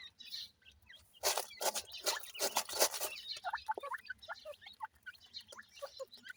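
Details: Grey francolin (teetar) chicks: bursts of broadband scratching and rustling for the first few seconds, then many short, high peeping notes, some rising and some falling, repeated rapidly and irregularly.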